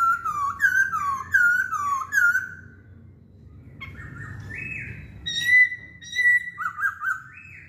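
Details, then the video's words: Chinese hwamei song of rich, looping whistled notes in a rolling phrase, a pause, then loud sharp slurred whistles, some held and level, others dipping, given in an irregular sequence. "Kicauan Poksay Hongkong"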